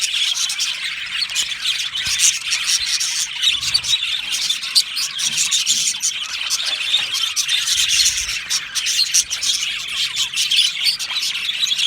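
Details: A long stretch of happy singing from an aviary colony of Australian budgies, with a steady shrill chatter of squeaks, squawks and chirps from many birds throughout.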